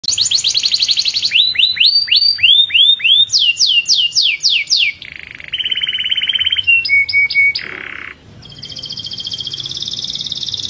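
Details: A canary sings a long, varied song used to stimulate other canaries to sing and mate: fast rolling trills, repeated downward-sweeping whistles, buzzy rattles and a high sustained trill, all bright and loud.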